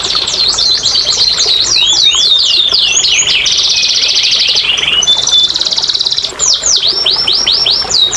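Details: Canary song for prompting silent canaries: rapid tumbling whistled slurs, a dense buzzy roll, a high steady trill, then a series of crisp falling whistles.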